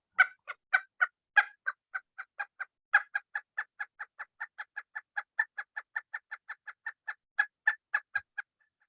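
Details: A Pileated Woodpecker (Dryocopus pileatus) gives a long, very loud series of ringing wuk notes, about four a second, steady in pitch for some eight seconds, a call audible from a great distance.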